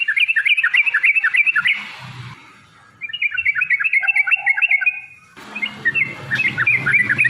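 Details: Yellow-vented bulbul long 'ropel' song played to provoke rivals into answering: runs of fast, bouncing bubbly notes several seconds long, broken by pauses, with a lower softer warble in the middle section and hiss behind the last burst.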